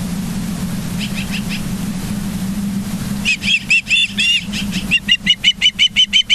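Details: Ospreys on a live-streamed nest at Charlo, Montana, 24 August 2023 around 09:29: a few faint whistles, then louder, uneven bursts of high cheeps that settle into a quick regular series, over a constant low hum.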